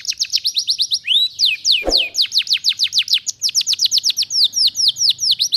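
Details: Canary in full loud song, used as a tutor and lure for magpie-robins: fast runs of high, sweeping, down-slurred notes repeated in quick trills, with a brief rasping burst near the middle.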